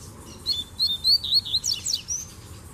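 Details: Males of the Double-collared seedeater sing loudly beside a female soliciting mating; a string of bright whistled notes speeds into quick downward slurs and ends on a thin high whistle.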